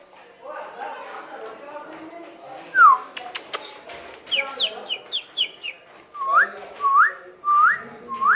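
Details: Macaw, described as a big parrot, giving a varied series of sharp whistled notes: a falling whistle, a quick run of short descending chirps, then four rising whistles about half a second apart, over a low murmuring background.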